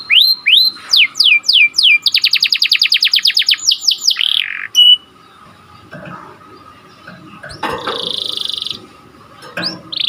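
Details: Canary song in the sharp 'cuit cuit' rolling style, used to teach canaries and stimulate breeders to sing: rising slurred whistles, a fast rattling trill, then a pause with faint rustling before a buzzy held note returns.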